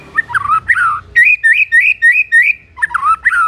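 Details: White-rumped shama song meant to provoke rival shamas: deep warbled slurs, then a crisp string of rising whistled notes repeated rapidly, closing with more rich, swooping phrases.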